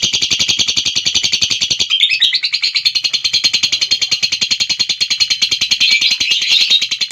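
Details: Lovebird giving a long-duration ngekek trill: a continuous, rapid chattering series of high, buzzy notes repeated several times per second, sustained unbroken through the recording with a slight shift in tone partway.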